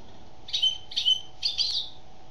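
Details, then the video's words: Three quick, high, liquid twittering phrases from a singing female European goldfinch, each about a third of a second, delivered in close succession above a quiet constant hum. "Chant d'une femelle chardonneret"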